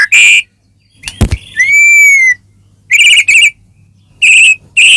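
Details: White-rumped shama singing loud and clear, used to provoke a caged bird into singing: short buzzy bursts, a sharp clap, then a long pure whistled note rising and falling, followed by more rattling bursts.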